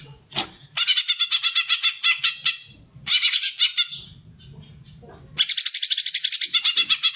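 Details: Greater green leafbird in fighting song, used to stimulate other birds: a sharp upward note, then three long bursts of fast, buzzy chattering high notes separated by short pauses with a low hum.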